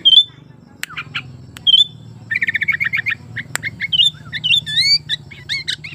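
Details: Sooty-headed bulbul in breeding condition, a lure recording meant to prompt silent bulbuls to sing: sharp high whistles, a fast run of stuttering chirps, then rising and falling whistled notes and brief clicks over a faint low hum.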